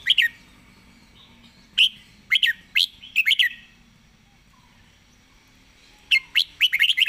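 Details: Rapid-style song from a Red-whiskered bulbul: crisp, sharply slurred whistles given singly and in short chattering runs, with pauses of a second or more, ending in a fast cluster of notes.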